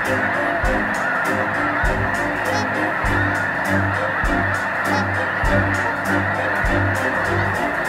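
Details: A large flock of snow geese migrating north in spring, landing on ice after a sudden thaw, gives a dense, overlapping chorus of high, nasal honks and yelps, with louder bursts about every second.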